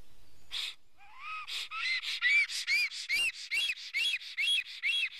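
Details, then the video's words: ['Male black stork at a Karula, Estonia nest, filmed by a live camera on 19 May 2017 around 11:10, disturbed by an intruder shortly before hatching. After a low rising whistle, a fast run of arched, wheezy squealing notes, roughly two per second, grows louder.'] "Karula Black Stork~A Intruder is near the nest~"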